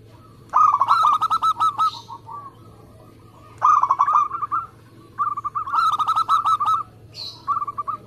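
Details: Local zebra dove with a fast, tight song used as a lure for other doves: four separate bursts of rapid, rolling trilled coos with quiet gaps between them.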